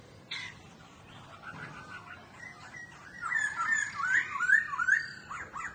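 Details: Captive laughingthrush sings while dancing and fanning its tail, rich whistled phrases of quick rising and falling notes that grow louder after a quiet start, with a few harsher squawky notes mixed in; Laughingthrush.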